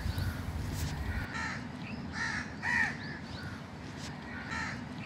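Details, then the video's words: Crows in a park giving harsh, nasal caws with a rising-falling arch, repeated every second or so, several birds overlapping, over steady low traffic rumble. "Crow's in the Park // Crow's video and sound"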